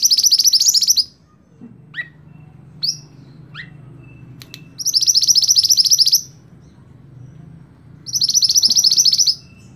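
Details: Scarlet-backed flowerpecker, singing as a master voice for cage songbirds: three bright, rapid high trills spaced a few seconds apart, interleaved with sharp downward chips, against faint low hum.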